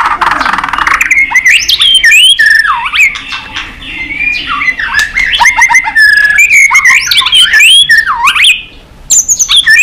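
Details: White-rumped shama singing a long, varied competitive song: loud whistled phrases sweeping up and down, rapid chattering notes and looping slurs, almost continuous with a brief pause near the end.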